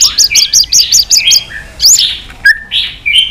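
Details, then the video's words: White-rumped shama singing a varied fighting song: a quick rhythmic series of high chirps repeated about eight times, followed by separate fluting whistles and a sharp upslurred note. "chòe lửa hót nhiều giọng kích bổi hót đấu"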